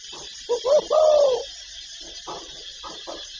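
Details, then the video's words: Spotted dove cooing: two quick low notes lead into a drawn-out, even coo, then several soft, faint notes trail after it over a steady background hiss. "Tiếng chim cu gáy đủ bài gáy gọi, thúc, gù"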